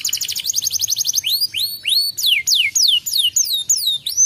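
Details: Lure song of a canary, played to stimulate a canary that will not sing: a quick rattling series of short repeated notes, then loud sweeping whistles, each rising or falling, repeated several times a second.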